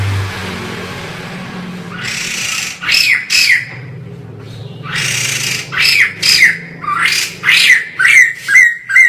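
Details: After a low hum and background rumble, a white-crested laughingthrush bursts into bouts of loud, harsh chattering, grouped squawks that come in quick runs separated by short gaps, over a steady low noise floor.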